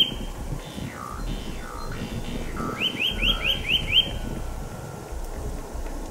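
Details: Eurasian nuthatch singing in a forest in March: a quick run of clear, rising whistles over a low background rumble.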